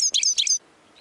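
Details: European goldfinch giving a short series of three bright, high twittering chirps, then quiet.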